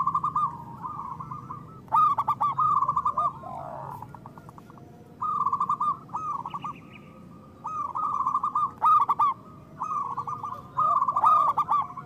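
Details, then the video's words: Zebra doves of a local strain in full song, meant to coax reluctant doves into singing. Bursts of quick, rolling cooing notes come roughly every two to three seconds, with gentler swooping coos in the gaps. "Perkutut lokal gacor Suara Besar Pancingan Perkutut Cepat Bunyi Gacor"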